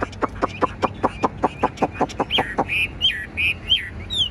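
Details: Caged, fully tame Chinese hwamei with a broad fanned tail: a fast run of about a dozen short clipped notes, then loud whistled slurred phrases rising and falling, with faint background noise.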